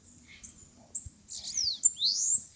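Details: Bananaquit in Maceió singing while fighting a rival during a campeada contest: thin, very high sweeping notes, some rising steeply, growing louder toward the end, with faint low handling noise.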